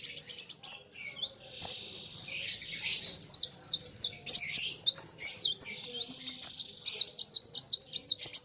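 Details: Two kolibri wulung sunbirds singing hard: jumbled high squeaky chirps and buzzy bursts give way to repeated arched, bouncing whistles, with a short drop in sound near the four-second mark.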